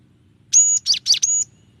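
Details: Gelatik batu (cinereous tit) with a clear voice: a long steady high whistle, two rough chattered notes, then another level whistle, all within a second.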